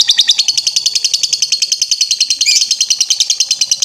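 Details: Lovebird ngetrek singing from a master recording used to train birds: a dense, rapid, chattering high trill continuing without a break, notes coming several times each second.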